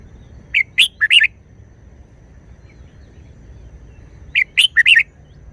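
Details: Red-whiskered bulbul performing short, energetic wild-style song phrases: a cluster of three bouncy whistled chirps, a pause of about three seconds, then four similar quick notes.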